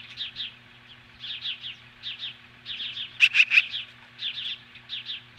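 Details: Osprey at its nest near Lolo, Montana, standing off magpies at 10:26 AM on July 15, 2015; rapid series of high, sharp whistled chirps runs throughout, broken by a few louder harsh bursts near the middle.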